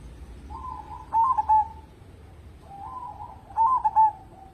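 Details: Zebra dove of local stock, singing as a lure for other birds: two gentle phrases, each opening with a soft purring run, then a few sharp clipped notes ending in a mellow coo.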